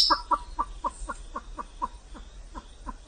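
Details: Vietnamese pheasant clucking in an evenly spaced run of short, hoarse notes, about three to four per second, over soft background hiss.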